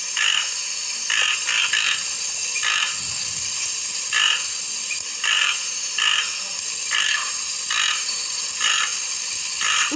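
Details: Toco toucan (Ramphastos toco), call.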